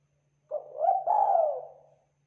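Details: Local spotted dove, a lively caller, gives one drawn-out hoarse coo that swells, then holds a long low note before fading, with a faint steady hum beneath.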